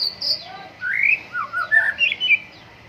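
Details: White-rumped shama singing vigorously in morning dew airing: a short sequence of slurred whistles rising and falling, ending in several rapid clear notes.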